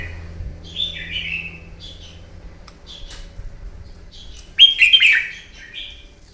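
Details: Morning fighting song from a wild-caught red-whiskered bulbul, played to provoke birds into singing. A falling warbled phrase opens, soft short notes follow, then a loud, throaty, tumbling phrase near the end over a low hum.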